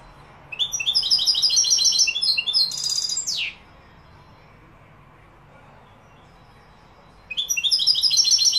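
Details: European goldfinch from Morocco in Málaga-style song: a three-second flurry of rapid, tinkling twitters ending in a downward buzzy sweep, a long quiet gap, then the song resumes.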